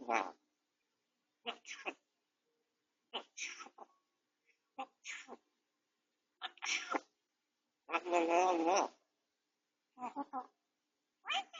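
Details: Captive grey parrot at home, recovering from a beak-tip injury and on medication, caught by a home camera speaking while resting: short word-like bursts every second or two, one longer wavering phrase near the end, in a quiet small room.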